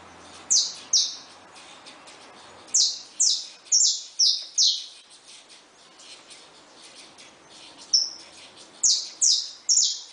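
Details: A caged saffron finch beside just-hatched chicks: clusters of piercing high notes, each sliding downward, delivered in quick runs broken by short pauses, with a faint softer note midway.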